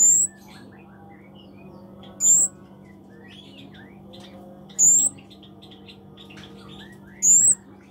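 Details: Scarlet-backed flowerpecker, locally called cabe-cabean or kemade, singing actively: thin, very high whistled notes, each slightly rising and drawn out, repeated four times about every two and a half seconds over faint twittering from other birds and a steady low hum.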